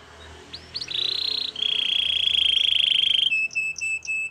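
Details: Belgian canary singing a training song for canaries: a few quick rising notes lead into long, steady, rolling trills, ending with sparse short chirps.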